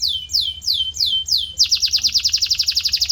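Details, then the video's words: Canary song meant to tutor a canary's voice: five slow, clear downward-sweeping whistles, then an abrupt switch to a quick, evenly pulsed bubbling trill. "Special Audio to Shape Your Canary's Voice Character"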